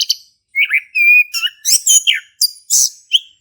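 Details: Energetic song of a male orange-headed thrush, played to set silent thrushes singing, mixes pure drawn-out whistles with harsh, buzzy high notes in quick succession.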